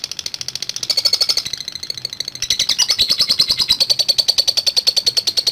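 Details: Lovebird giving a long ngekek chatter: a fast, rattling run of high, harsh notes repeated about three times a second, rising in intensity after a brief dip and continuing without pause.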